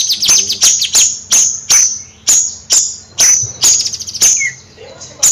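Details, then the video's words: Bayeman bird singing, nyrecet style: crisp, very high ticking notes at uneven intervals, some preceded by rapid descending trills, ending with a short pause before one last click. "Suara Kicau Bayeman Nyrecet Gacor Kicau Bayeman Siri Siri...!!"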